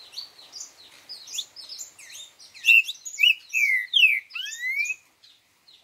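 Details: A green-winged saltator (Saltator similis) gives its four-note song: softer chirping notes, then a loud phrase of clear, slurred whistles, some rising and some falling.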